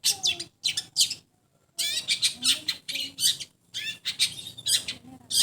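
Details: Long-tailed shrike in a sound test, delivering rapid runs of harsh, grating chatter in clustered bursts, one silent gap near the second mark, then continuous scratchy phrases.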